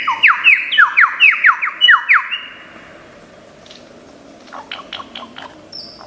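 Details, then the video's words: Lyrebird from Australian forests, a skilled mimic, rattling off a fast series of loud descending whistled notes for about two seconds, then falling quiet apart from a few faint distant chirps. "Tembakan Lyrebird gacor 1001 macam suara"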